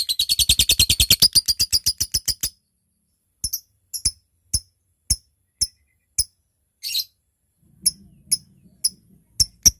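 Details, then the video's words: Lovebird calling a rival: a burst of rapid high chattering (ngekek) slows and stops, followed by scattered single sharp ticks (ngetik), one hissing rasp and a faint low murmur in the background. "Suara LOVEBIRD GACOR, NGETIK Lanjut NGEKEK PANJANG Memanggil LAWAN"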